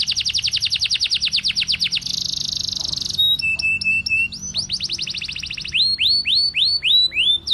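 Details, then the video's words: Domestic canary singing in the gacor style, a long nonstop song: fast rising trills shift abruptly into a buzzy held note, then a rattling roll, then looping upswept whistles, all loud and close with a low background hum. "Sekali putar Kenari lain ikut Gacor bunyi"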